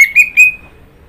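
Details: Orange-headed thrush giving three quick clear whistles at a steady pitch, the last trailing off into silence.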